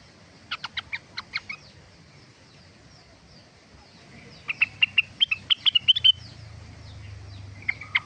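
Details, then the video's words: Cucak rengganis song in two bursts: five quick sharp chips early, then after a pause a faster run of bright whistled chips, and a final pair of notes; faint low hum behind. "Burung Rengganis"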